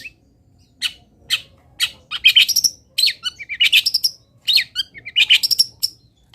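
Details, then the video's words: Local long-tailed shrike (cendet lokalan) master song: bursts of sharp, high chattering and scratchy notes, some short bursts and some longer trilled runs, separated by brief pauses, against quiet background. "ISIAN WAJIB BURUNG CENDET - 99,01% PATI ADA ISIAN MODEL INI | MASTERAN CENDET LOKALAN"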